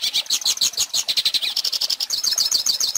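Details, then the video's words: Goldfinch singing, recorded for teaching young birds to sing: a rapid, continuous twittering of high, sharp chirps and trills, with notes packed several per second and no pauses. "Pintassilgo Cantando Ensine Filhotes!!!"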